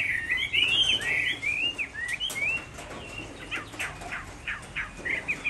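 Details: Chinese hwamei singing on a rainy afternoon in Hai Phong, Vietnam: a quick run of loud, slurred whistled notes rising and falling for about three seconds, then fainter scattered notes among broadband rain-like ticks.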